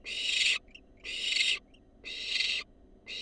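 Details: Young wild barn owl begging in a monitored nest box as a rat is brought in, producing loud rasping hisses roughly once a second, each cut off sharply before a quiet pause.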